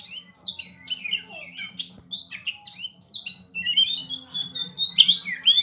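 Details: Oriental magpie-robin (Copsychus saularis) singing in fighting style: a rapid, nonstop stream of varied high whistles, trills and sharp chips, jumbled with mimicked notes, over a faint low hum.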